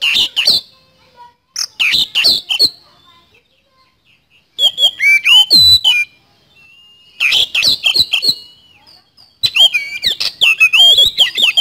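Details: Oriental magpie-robin (kacer) singing hard in a rapid 'speed roll' style used as lure song: bursts of fast sharp clicks and rattles mixed with high whistled notes, separated by silent pauses of one to two seconds.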